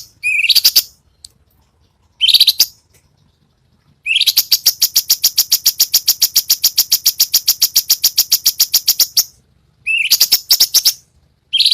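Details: Cucak cungkok song used as master song for competition birds. Brief harsh phrases are followed by a long five-second rattle of fast, evenly spaced, high scratchy notes, then another short rising phrase.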